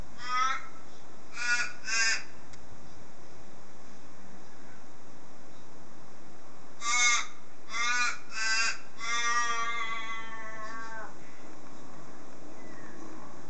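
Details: Crows calling in a garden, waking people like an alarm clock: harsh, nasal caws in bursts of two or three, followed by a drawn-out rasping call, over a constant background hiss.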